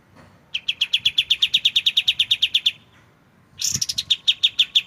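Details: White-shouldered triller in a clear-voiced tutor recording made, with pauses, so magpie-robins learn its song: a fast trill of about twenty sharp, evenly spaced high notes, a short gap, then a buzzy burst and a second trill.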